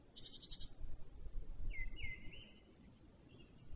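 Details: First male black stork arriving at his nest near Wolsztyn in the Notecka Forest, 11:14 am, 2 April 2023: a short burst of buzzy, bleating pulses, then a wavering, wheezy tone sliding upward, with faint wind rumble.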